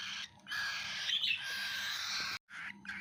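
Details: Baby cockatiel at feeding time, a continuous hoarse begging rasp lasting about two seconds, then a brief silence and a short further burst.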